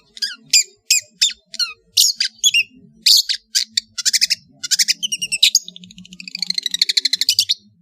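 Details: Madura long-tailed shrike in full varied master song: rasping scratchy notes and mimicked chirps, ending in a rapid rattling trill of dense repeated notes, with faint low hum behind.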